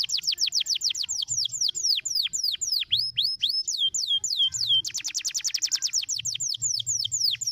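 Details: Canary song meant to stimulate other canaries, made of rapid repeated down-slurred whistled notes, then a fast buzzy trill of sharp notes near the end, with faint low hum underneath.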